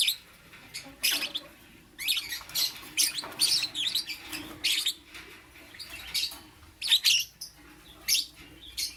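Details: Lovebird morning chirps: loud, scratchy high-pitched squeaks in quick clusters roughly every second, lively and uneven throughout.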